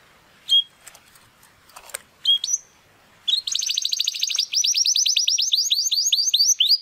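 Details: Young Spanish Timbrado canary of the Classico style, still working toward its full song: a few scattered high whistled notes and clicks with pauses, then a sudden dense, rapid, metallic trill of repeated downslurred notes running to the end.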